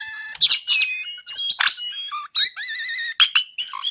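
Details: Brown-eared bulbul in full, vigorous song: a rapid run of clear whistles, sharp up-and-down slurred notes and warbled phrases, mostly high-pitched with short breaks between bursts.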